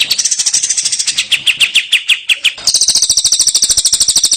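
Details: Long-tailed shrike training song full of fills: quick ticking notes give way to a series of sweeter falling whistles, then a switch to a very high, fast, buzzy trill.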